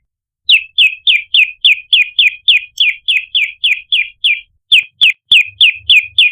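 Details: Lure recording of the red-headed ashy tailorbird (prenjak lumut): a long, regular sequence of sharp, slightly descending chirps, about three to four per second, with soft low knocks toward the end.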